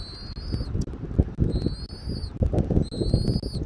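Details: Eagle at its nest, Southwest Florida, 13 January 2024 at 14:17 on a nest camera: three drawn-out, high thin whistles spaced evenly apart, with gusty wind rumbling underneath.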